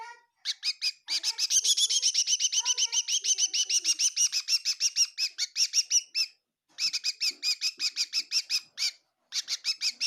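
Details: Kitchen bird at Tseminyu, Kohima, chirping almost continuously: a long, fast stream of sharp, ringing notes that starts dense and churring, then breaks into quicker evenly spaced chirps with two short silent gaps.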